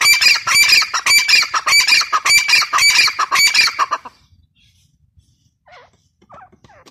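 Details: Female grey francolin, called Irani teetar: a harsh, ringing call repeated in a fast series of about 100 per minute for four seconds, then quiet with a few faint, thin chirps.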